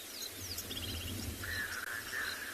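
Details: In the morning in a South African game reserve, a red-billed oxpecker on a young giraffe opens its bill and gives a dry, buzzy trill in the second half, with higher chirps from other birds and a low engine rumble beneath.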